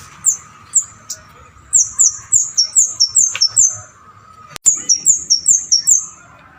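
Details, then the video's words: Bar-winged prinia singing in the 'keres' style used to lure and tutor songbirds: a few spaced high chirps, then quick rolling series of downslurred notes, a click, and another rapid run. "Kemade Keres Gacor"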